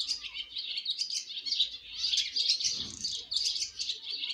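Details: Young swallows leaving the nest on their first flight, heard as a busy stream of high, overlapping twitters and squeaks with brief louder peaks and a soft low rustle partway through.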